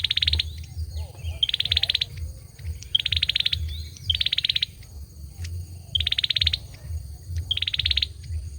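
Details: Male olive-backed sunbird singing: short, dense buzzy trills repeated about every one and a half seconds, each lasting about half a second, over steady high insect-like whining tones and a low background hum.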